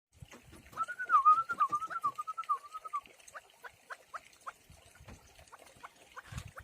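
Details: Partridge chicks raised at home give a wavering whistled call that rises and falls in short waves for about two seconds, followed by brief sharp peeps repeated roughly twice a second.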